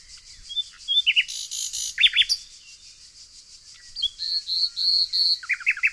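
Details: Nightingale singing among yellow flowers in the evergreen forests of Tonekabon, Mazandaran province, northern Iran. Brief chirps, a loud buzzy burst, then short downslurred trills and a quick run of rising notes, with high thin chirping between phrases.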